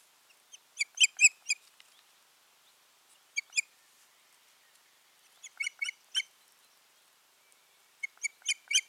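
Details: Osprey pair at their nest on 14 June 2019. They give bursts of sharp, high whistled notes, three to five quick notes per burst with pauses of a second or two between bursts, over a quiet background.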